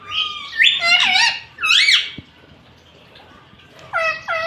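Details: Pet talking rose-ringed parakeet indoors, known for saying Mitthu Mitthu; strident warbling phrases with bending pitch, a long quiet gap, then two short hooked squeaks at the end.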